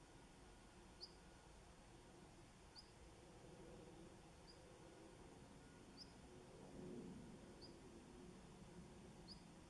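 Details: A male Long-tailed Rosefinch, its red still pale, at Inba-numa on 4 February 2015 in winter gives soft, high single whistled notes every one to two seconds over a steady low rumble of wind or distant traffic.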